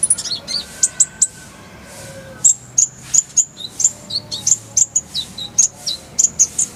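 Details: Purple-throated sunbird, called kolibri ninja, tutor song for songbirds: a busy stream of high thin whistles, quick upslurs and short falling notes, clear and nearly continuous.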